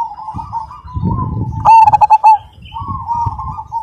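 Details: Majapahit-type zebra dove, a strong caged singer, delivering one rapid stuttering coo phrase of about six quick notes amid softer background cooing from other doves and low rumbling noise.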